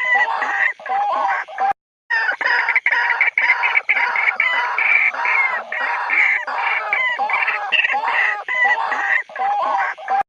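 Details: A white-breasted waterhen gives a territorial call, a loud, continuous run of harsh, croaking and gurgling notes packed tightly with barely a pause.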